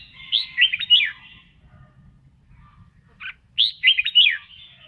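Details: Red-whiskered bulbul singing and dancing during voice training: two quick phrases of four or five bright, slurred whistled notes each, separated by a pause of about two seconds with a single short note before the second phrase.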